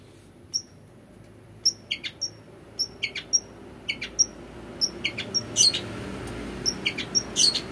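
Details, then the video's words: {'caption': "Long-tailed shrike in full 'gacor isian' song, used as a lure to get other shrikes singing: short, sharp, high whistled notes repeated at uneven intervals, mixed with thin chirps, growing busier toward the end over faint low background hum."} "TOET TOET PANCINGAN CENDET GACOR ISIAN"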